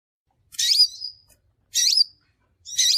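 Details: Crimson sunbird lure call used for bird trapping: three bursts of thin, high, twittering notes with quick wavering sweeps, each about half a second long, separated by silent gaps.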